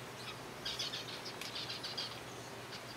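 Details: Zebra finches in a captive colony at a softfood meal, a flurry of quick nasal beeps in the middle second and a half, then sparse single calls, with background hum.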